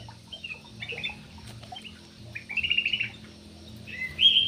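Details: Short notes from a Javan pied starling, a bird said to dance well, building into a scratchy chattering phrase and ending on a loud, high whistle. A soft low hum runs throughout.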